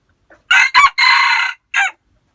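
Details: Decoy rooster with white ear lobes gives a full crow: a faint pickup note, two loud choppy syllables, a long sustained harsh middle phrase, and a short falling tail note, with no other sounds.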